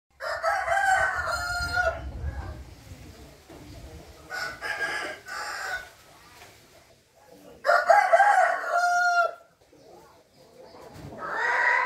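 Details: Rooster crowing, recorded 15 June 2021: three long, harsh, drawn-out crows with a fourth starting at the end, each rising then falling, separated by quieter gaps with faint background noise.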